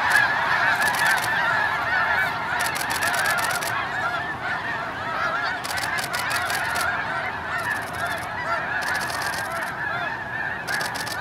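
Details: Snow geese in a large flock during an early take-off at Hagerman NWR: a dense, continuous chorus of yelping honks overlapping without pause, with bursts of wingbeat rushing noise throughout.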